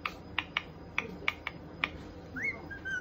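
A white-bellied caique gives six short, sharp clicking chirps over two seconds, then a rising and falling whistled note; indoor room quiet behind.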